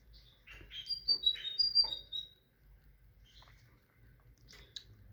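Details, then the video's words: Tit song with clear, high whistled notes, some sliding downward, delivered in a rapid run of about two seconds, then faint scattered chirps and quiet before a final short high note. "تغريد طائر الحداد(القرقف)"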